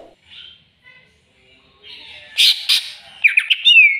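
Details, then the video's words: Greater green leafbird stirred up by a rival: faint soft chirps, then loud harsh squawking bursts, followed by quick sharp notes and a descending whistled slur at the end. "CUCAK IJO CARI LAWAN!!!bikin cucak ijo emosi"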